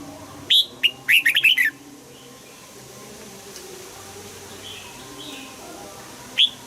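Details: {'_': 'Red-whiskered bulbul morning song used for voice training, in the double-note, old-forest style: one clear rising whistle, then a quick burst of several warbled, bouncing notes, and a final lone note near the end over quiet background hiss.'}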